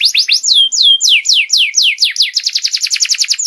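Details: Canary master song meant to teach young canaries, with loud descending swoops that slide from high to mid pitch, followed by a quicker rattling series of short falling notes.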